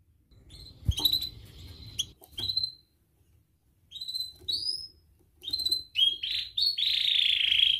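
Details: Canary training song for young birds learning to sing: soft scattered short upslurred whistles with pauses between them, building to a louder sustained buzzy trill at the end, over a faint low background rumble.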